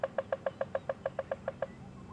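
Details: Woodpecker's territorial drumming on a hollow dead branch, probably in a marula tree, at sunrise on January 22, 2015, on safari: a quick, even roll of about twelve hollow knocks in under two seconds, then silence against a quiet background.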